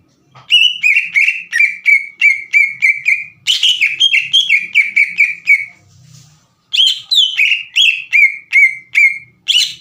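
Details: Lure song of a green leafbird meant to provoke other leafbirds into answering; rapid series of clear whistled, slightly descending notes repeated several times a second in two long bursts separated by a short silence, with occasional harsher, buzzier notes.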